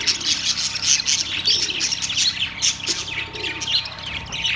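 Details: Loud, dense chatter of caged budgerigars, Australian parrots, on September 3, 2023: fast, overlapping, scratchy high chirps and twitters with no pause, plus a few lower murmuring notes.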